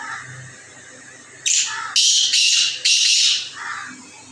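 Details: Black francolin (kala teetar), a calling male, gives four loud, rasping, scratchy bursts in a tight series, then falls to a softer background with a faint low note at the end.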